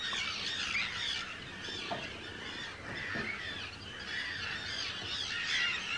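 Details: Hundreds of Arctic terns calling at a large breeding colony on Rottumerplaat, Groningen, the Netherlands, 4 June 2023: a dense, continuous chorus of harsh, overlapping screeching calls, rising and falling with no pause.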